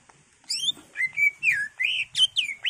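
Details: Greater green leafbird (cucak ijo), singing agitatedly with a full repertoire, used as a lure to provoke other caged birds to sing; loud whistled notes and slurred, rising and falling phrases in quick bursts, with faint low hum behind.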